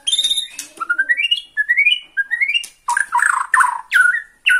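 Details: White-rumped shama of the Bornean type, agitated by the sight of a rival and singing from one spot: a series of rising whistled slides climbing step by step, followed by harsh broadband bursts and sweeping notes.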